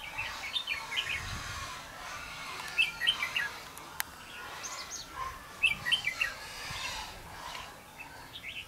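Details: On 5 November 2016, at a trapping session for red-whiskered bulbuls, clusters of lively chirped phrases recur about every three seconds, with a single sharp click partway through.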